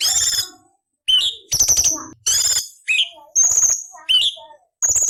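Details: Tutor song of a cucak cungkok for training murai, cucak ijo and kacer, rich in rough rasping fills: loud gritty buzzes interleaved with piercing rising whistles, separated by short pauses.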